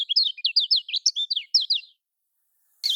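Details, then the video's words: Lemon-bellied white-eye (kecial kuning) in Lombok style, used to prompt caged birds to sing: about two seconds of quick, evenly spaced high chirps with slurred inflections, then silence and a final short burst. "Ini Yang Di Pakai Kicaumania Untuk Kecial Kuning Males Berkicau"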